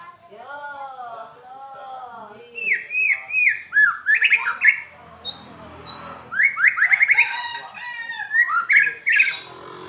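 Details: Caged Medan-type white-rumped shama singing actively: soft arched whistles at first, then loud, rapid, varied phrases of upslurred whistles and sharp chips repeated in lively bursts.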